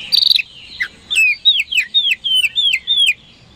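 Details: Oriental magpie-robin (kacer) song used to provoke rival birds into responding: a burst of high notes, then a run of about seven loud whistled notes sliding downward, spaced roughly every quarter second.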